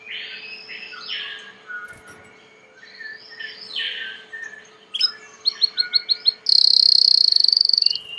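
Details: Belgian canary song, somewhat masked by background noise: slurred warbling phrases, a run of quick chirps, then a bright sustained trill.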